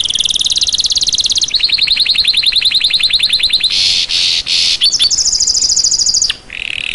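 Red-crested Finch song: a series of very high, rapid, thin trills that shift in pitch from one run to the next, with a brief noisy burst midway.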